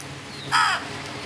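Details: Crow uttering one short, raspy, broadband caw lasting about a quarter second over a quiet background.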